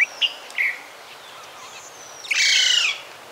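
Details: A few brief squeaky notes, then a long, loud, grating screech from a Duivenbode's lory, with a faint thin whistle in between.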